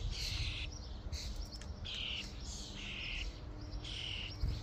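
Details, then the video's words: A starling flock at a feeding station: repeated grating, buzzy squawks, each about half a second long, spaced irregularly, with a faint hum beneath. "Starlings invasion at the feeding station | Staren Invasion an der Futterstation"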